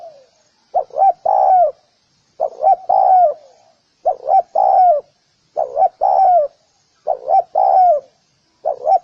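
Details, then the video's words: Spotted dove repeating its coo phrase six times, roughly every one and a half seconds: two short notes and a drawn-out downward coo, low and hollow; no other sounds. "Spotted_Dove_ki_Awaaz | Amazing call sound effect | Spotted_Dove"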